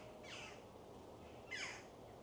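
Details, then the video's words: Jackdaws, several in the trees with apparently some young ones, getting boisterous, give two harsh, clipped calls a second apart, each dropping slightly in pitch, over low rumble; Rodley Nature Reserve, West Yorkshire, wetland and meadow reserve. "jackdaws shouting."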